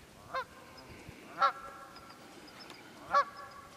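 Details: Wild geese in Pennsylvania's Quehanna Wild Area on 27 February 2018, giving three separate nasal honks roughly a second and a half apart against a quiet background.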